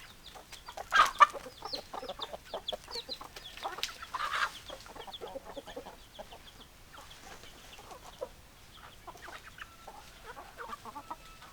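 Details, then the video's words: Hens clucking in a farm setting: dense, overlapping short clucks and squawks spread across the clip, with a louder burst near the start and a steady chorus of chattering calls throughout. "Chicken Sounds Noises Hens Clucking Roosters Crowing"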